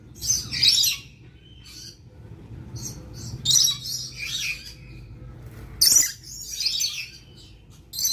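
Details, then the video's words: Lorikeet screeching in three or four harsh, high, grating bursts spaced a couple of seconds apart, with quieter chatter between them and a faint low hum underneath. "Masteran burung perkici"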